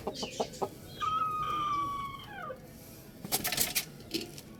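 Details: Rooster crowing loudly, a harmonic crow held about a second and a half that drops in pitch at the end. Short clucks come before it and sharp noises follow.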